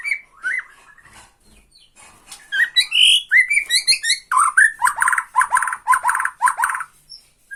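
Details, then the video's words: Bornean white-rumped shama (murai batu Borneo) singing in the rattling 'tretekan' style to provoke a rival: varied whistles and slurred notes building into loud rapid repeated rattling phrases, each note with a sharp downward sweep. "BIKIN EMOSI LAWAN || TRETEKAN MURAI BORNEO MANCING MURAI LAIN"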